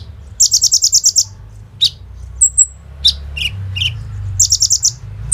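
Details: A kolibri ninja sunbird in full voice, recorded on an Oppo A37f for training other birds, delivers a quick piercing trill, scattered thin whistles and dropping chips, then another trill burst.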